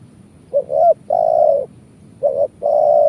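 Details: Spotted dove call used as a lure for trapping birds; two cooing phrases, each a brief rising note followed by a longer steady coo, sounding loud and clear against a low background rumble.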